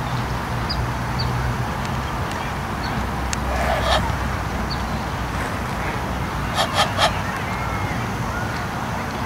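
An Egyptian goose gives short, harsh honks in two brief bursts several seconds apart, over a steady rushing background noise.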